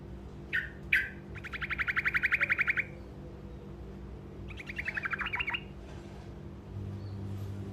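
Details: Truco giving a short rolling song meant to make other birds answer: two sharp downslurred notes, then a fast even roll of buzzy notes lasting about a second and a half, repeated more briefly later, over a steady low hum.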